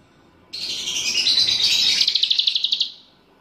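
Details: Bulbul in full song, trained with another bird's song mixed in: one sustained, high, buzzy phrase about three seconds long that ends in a rapid run of evenly pulsed notes.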